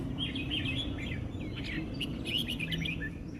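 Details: Red-whiskered bulbul (Pycnonotus jocosus), a caged bird, sings quick, liquid, warbling phrases of bright chirps and slurred notes, over a steady low hum of background noise.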